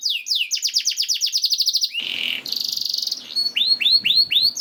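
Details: Canary song for drawing other canaries into song: a steady train of falling chirps, a rough buzzy burst over rustling noise, a fast high rattle, then a few swooping whistled notes.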